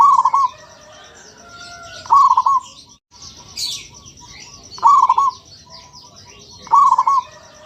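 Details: Zebra dove song: short low trilled coos repeated about every two to three seconds, with a faint chorus of other small birds chirping in the background.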